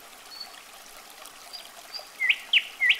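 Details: Common nightingale (Luscinia megarhynchos), song.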